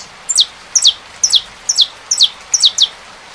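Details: Saffron finch singing: sharp, high, downslurred chip notes given in quick pairs, six pairs spaced about half a second apart, over a faint steady hiss.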